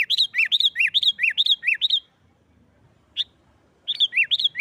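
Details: Sooty-headed bulbul in loud, aggressive fighting-style song used to provoke other bulbuls into singing: rapid alternating high and lower chirped notes, about two per second-fraction, in a two-second burst, a single note, then the phrase resumes.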